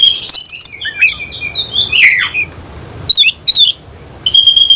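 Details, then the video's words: An oriental magpie-robin, semi cililin type, singing hard while opening its tail; a buzzy trill opens, followed by downslurred whistles, two sharp rising chirps and a final pure, steady whistle. "Kacer langsung NEMBAK NGOBRA BUKA EKOR"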